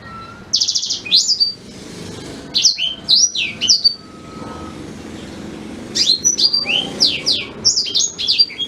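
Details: Black-throated canary in full natural song, suited as a teaching model for white-rumped shamas. Bursts of piercing, rapidly swooping notes and short buzzy trills come in three phrases, with a faint low background hum.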